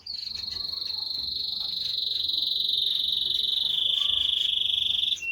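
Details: One long, unbroken buzzy trill held steadily for about five seconds and dropping slightly in pitch near the end, from a singing canary, over a low hiss of background noise.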